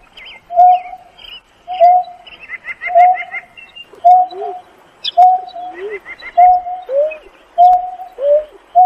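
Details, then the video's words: A Greater Painted-snipe calling to its flock gives low, soft hooting notes about every second, some with a dipping tail, over quick high chirps from other small birds. "Tiếng kêu của chim nhát hoa- Chim Nhát Hoa gọi bầy"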